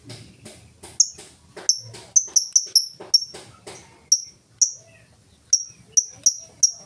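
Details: Lovebird in 'ngetik' style without 'ngekek', a lure to get other lovebirds singing. Soft, faint chirps open, then about fifteen loud, crisp high ticks follow, briefly quickening before spreading out.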